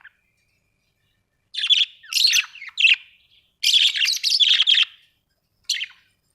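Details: Budgerigars kept as house pets warble in several short, bubbling bursts of high chattering notes after a silent start, in a quiet room.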